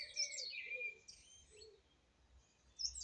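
A song thrush sings a bright, rich phrase of varied whistles and trills, pausing briefly before the next phrase begins.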